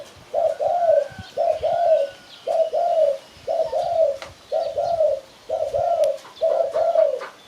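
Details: Spotted dove used as a bird-catching lure, calling in a clean, regular series of doubled coos, one pair about every second, soft and slightly descending, with little background sound.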